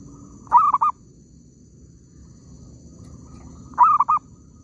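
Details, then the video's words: Zebra dove calling in an oil palm plantation while being trapped: two brief bursts of rapid, mid-pitched staccato coos about three seconds apart, over low background hum. "mikat perkutut kebun sawit,suara ampuuhh"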